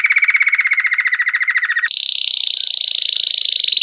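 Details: Belgian canary in campainha style: a rapid mid-pitched pulsed trill that breaks abruptly into a higher, faster, smoother roll. No other sounds are heard.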